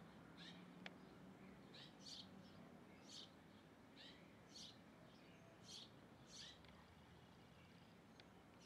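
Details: A hornero calling while feeding: short, high, sharp chip notes in loose clusters about every half second to second, fairly faint over steady low background hum and rumble.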